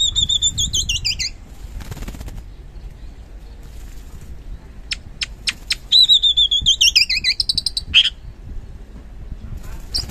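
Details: Oriental magpie-robin (kacer) singing strongly, played as a lure to set quiet birds singing: two bursts of rapid, downward-sliding whistled notes separated by a gap filled with wing fluttering and dry clicks.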